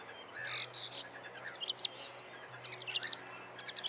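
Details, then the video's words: Reed warbler singing among thick reeds near a quiet reservoir in Ukraine: fast, chattering bursts of scratchy, rapidly changing notes, as if improvising, in quick uneven phrases over a faint low hum. "is the voice of the warbler."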